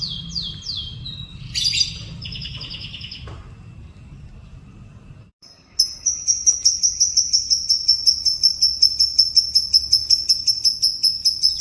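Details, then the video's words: Yellow canary morning song: quick rising whistled slurs and a brief bright burst, a pause, then a long rapid high trill of evenly repeated pulses rolling for several seconds. "Burung Kenari Kuning di PAGI HARI"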